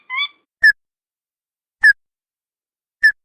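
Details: Crake (tututan) lure call meant to draw an answer from wild birds: one short rising whistle, then three sharp, clipped notes repeated about every 1.2 seconds in silence.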